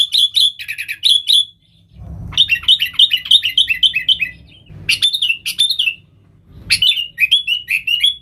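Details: Sooty-headed bulbul song used for luring wild bulbuls: repeated bursts of fast, liquid, bubbling whistles that tumble downward, four phrases with short gaps, and occasional dull knocks in the background.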